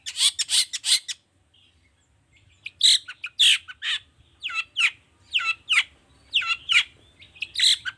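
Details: Long-tailed shrike in full song, used as a lure to prompt other shrikes to sing: loud harsh chattering bursts and squawky, grating notes mixed with sharp chirps, delivered in rapid clusters after a brief pause.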